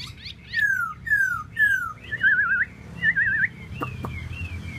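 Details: Tieu mi bird whistling clear, drawn-out descending notes in a slow series, followed by warbled, wavering whistles and a few soft higher slurs, with a faint low hum underneath.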